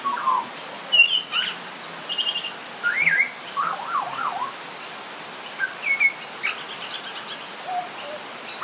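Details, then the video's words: A butcherbird calls during light rain, giving scattered fluty whistles, some sliding up and down in quick zigzags, at irregular intervals over a steady hiss of rain, with a bit of thunder in the background. "Butcher Bird Call"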